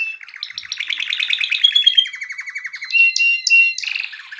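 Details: Canary song with fast chattering trills that descend into a lower rolling rattle, followed by clear whistled notes and sharp rising sweeps, loud and varied.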